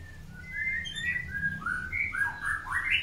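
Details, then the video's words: White-rumped shama, the long-tailed form, during pairing for breeding: a string of clear whistled notes sliding up and down, ending in a brighter rising phrase, with a low hum underneath. "PROSES PENJODOHAN MURAI BATU EKOR PANJANG"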